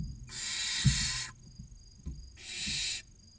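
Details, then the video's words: Inside a barn owl nest box in Spain's Cabañeros National Park, six chicks aged 16 to 29 days beg for food with two drawn-out, rough hissing snores, the first over a second long, amid low scuffing and knocks. "Los seis pollitos esperando la cena - Lechuza común"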